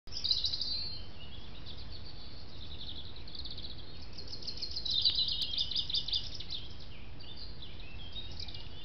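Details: Song thrush song: high, clear phrases, some whistled and some trilled, delivered in quick bursts with short gaps. A steady low background rumble runs throughout.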